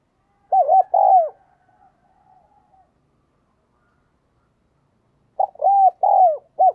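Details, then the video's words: Spotted dove used as a decoy to draw in wild doves, giving short bursts of two or three hooked, mid-pitched coos, then a few seconds of near silence before the next fast phrase. "Tiếng Chim Cu Mồi thúc Và Gáy Gọi Bổi Nghe Nhanh Gáy"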